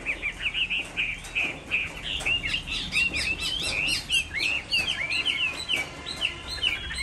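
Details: Hwamei in Hai Phong, Vietnam, sings through a rainy afternoon. Its phrases are continuous and richly varied: bright looping whistles and sweeping slurs, dense and unbroken across the whole stretch, with soft clicks in the background.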